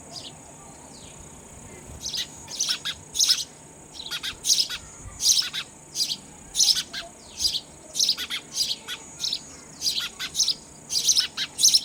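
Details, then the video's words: Sparrow chicks begging while being fed raw insects: bursts of high, thin, rapid chirps repeat about every half second to a second, growing louder and more insistent over a steady faint background hiss. "Sparrow Bird feeding Babies Raw Insect"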